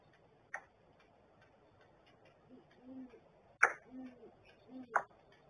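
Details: Great horned owl pair coming into a barrel nest at 7:19 AM on 13 January 2022; the male hoots and makes gular sounds. Three soft, low hoots come about a second apart in the second half, among sharp clicks and taps.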